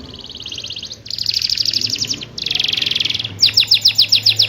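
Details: A lively canary's rolling song, meant to prompt silent canaries to answer. Three buzzy rapid trills run one after another, then a string of sharp falling chirps. A faint low hum sits underneath.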